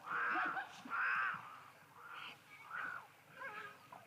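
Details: Cape crows beginning to call on 31 March 2023, a sound described as quite ominous: two loud rasping caws in quick succession, followed by three softer, shorter caws.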